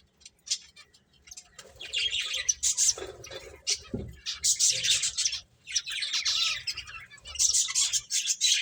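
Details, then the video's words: Playing finches produce bursts of high, bright chirping that come in clusters separated by short gaps, with a brief lower squawk-like note midway. "Cute Birds Chirping Sounds | Beautiful Finches Playing"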